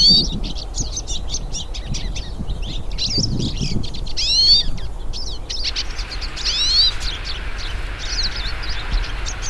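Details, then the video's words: Group of hooded siskins in song outdoors, pouring out quick high chirps and curling whistled phrases, busier in the first half and thinning later, over faint low background noise. "VÁRIAS PINTASSILGO CANTANDO NA NATUREZA"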